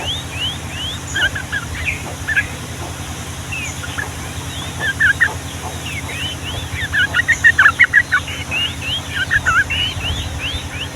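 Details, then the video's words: Gacor yellow-vented bulbul, long ropel song of the Ngombak Banyu style: quiet scattered chatter that swells into a quick run of bubbly notes near the end, amid thin whistles and a low hum. "SUARA BURUNG TRUCUKAN GACOR ROPEL PANJANG"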